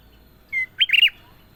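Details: Sooty-headed bulbul, known locally as kutilang emas, singing in a clear, lively style: a short steady whistle, then a brief burst of quick warbled notes. The background is quiet.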